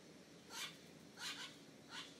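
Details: A magpie-jay, common around Nuevo Arenal, Costa Rica, gives three harsh, rasping, somewhat cat-like squawks, evenly spaced about every seven-tenths of a second, over a faint background hiss.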